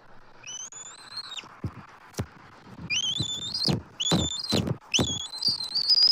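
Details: Two adult eagles at a Southwest Florida nest tree call on March 12, 2024, as an intruding immature eagle circles. Long thin whistled notes with a slight waver, then rising chittered phrases, plus wind bumps.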